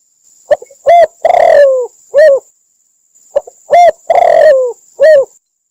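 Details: Spotted dove from Cambodia, its call used as a decoy lure for trapping doves: two loud, distorted phrases of low coos, each with short opening notes, a long drawn-out falling coo and a final note, over a steady faint high whine.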